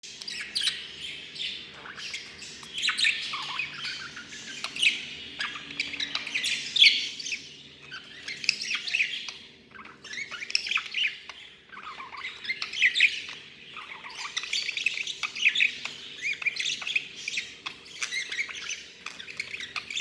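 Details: Pet budgerigar talking away, chattering nonstop in a fast, scratchy warble of clicks, squeaks and mimicked phrases.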